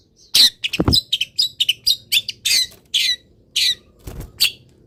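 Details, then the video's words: Long-tailed shrike in a cage, uncovered and misted in early sunlight, pouring out a fast jumble of short high chattering and whistled notes in quick irregular succession, with a couple of low thumps. "CENDET GACOR FULL ISIAN"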